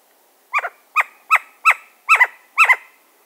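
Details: An agitated Western Screech-Owl gives six sharp, downslurred barks about every half second, some doubled; bill clapping is also noted for this bird. No other sounds intrude.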